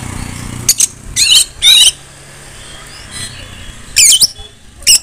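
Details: Female Oriental magpie-robin, calling to prompt other magpie-robins to sing and shriek, gives short scattered bursts of harsh, scratchy chatter separated by quiet gaps, with low background hum.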